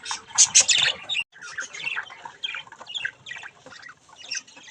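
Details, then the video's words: Young budgerigars at mirror play: a loud burst of harsh squawks at the start, then softer, continuous scratchy chatter and chirping. "Budgies chick's mirror fun time"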